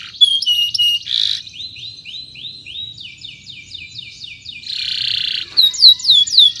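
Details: Canary with a long training song: rising chirps, a buzzy burst, a steady series of sweeping notes repeated about four per second, another buzz, then bright falling whistles.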